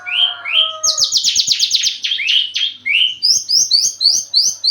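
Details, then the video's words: Breeding Javan bush lark, wanting to mate, gives a few lower rising whistles, then a rapid rattling trill of high notes, ending in a quick series of short upswept chirps. "branjangan lagi over birahi minta kawin"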